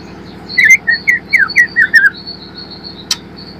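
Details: Young spotted white-rumped shama of a fighter type, learning to sing, recorded as a lure to get birds singing freely: seven short whistled notes, each slurring downward, over a thin steady high whistle, ending with a sharp click.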